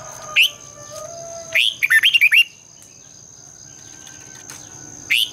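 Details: Red-whiskered bulbul morning song used to train and stir caged birds: single sharp whistled notes, then a quick rippling phrase of five or six warbled notes, with quiet gaps and a steady high hiss.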